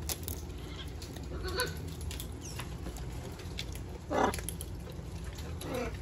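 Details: A wild macaw visiting a balcony gives one harsh, grating squawk partway through and a fainter rasp at the end, over a steady low rumble of background noise.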